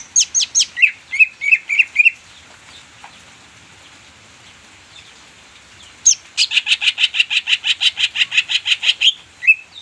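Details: Green leafbird (cucak ijo) lure song meant to coax silent birds into full song: sharp chirps and short whistles, a quiet gap, then a long fast series of evenly repeated buzzy chips.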